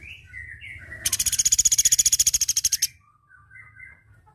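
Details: Flowerpecker in a training recording: a very high, rapid buzzy trill of about twenty evenly spaced pulses lasting nearly two seconds, framed by soft, thin chirps before and after.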